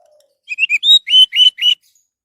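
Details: Orange-headed thrush song for luring other birds to sing: a loud, fluent phrase of about seven sweet whistled notes, several slurred, delivered evenly in under two seconds after a faint low tone.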